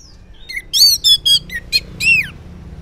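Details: Orange-headed thrush morning song, played as a lure so silent males answer: a loud varied phrase of clear high whistles with slurred, descending and rising notes, several rich overtoned syllables in quick succession.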